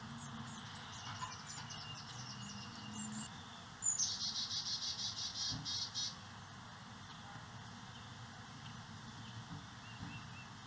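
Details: Carolina Chickadees feeding nestlings insect eggs and larvae at a birdhouse nest in St. Cloud, Osceola County, on native-plant landscaping. Faint high chips precede one sharp thin note and a run of about nine buzzy, evenly spaced dee notes.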